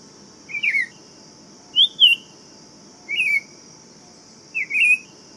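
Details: Tempera-viola, the buff-throated saltator, sings four brief mellow whistled phrases, each dipping and rising, about one every second and a quarter, against a steady thin background hum.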